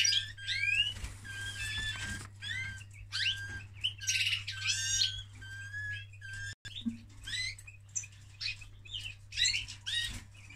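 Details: During mating, a male canary delivers long, varied song: sharp upward-swept chirps, sustained whistled notes and buzzy trills, broken by a brief silent gap partway, over a low constant hum.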